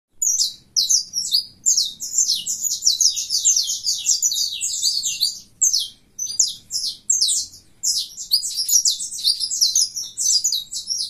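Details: Colour-mutation saffron finch singing persistently in the fibra style: dense, high, buzzy chirping phrases delivered in rapid bursts of one to two seconds with brief pauses, continuing throughout.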